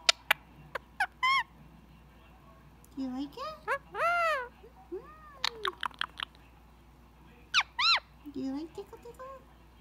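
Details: Talking pet Indian ringneck parrot relaxing under head scratches in the evening before bedtime; arched, nasal speech-like syllables and squeaks between scattered clicks, with pauses of quiet.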